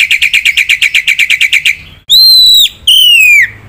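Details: Black-winged myna singing actively with mimicked filler phrases: a quick train of about a dozen clipped chirps, then two long, loud, pure whistles, each holding steady before sliding down at the end.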